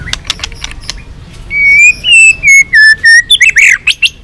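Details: White-rumped shama singing in many voices to incite a rival to fight: faint clicks and chatter, then strong drawn-out whistles stepping gently down in pitch, followed by quick rising and falling notes.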